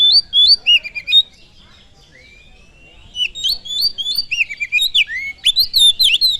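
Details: Lure song of an oriental magpie-robin meant to provoke other birds: quick runs of high whistled slurs and chattering notes, a short pause with a thin rising whistle, then a dense, varied burst.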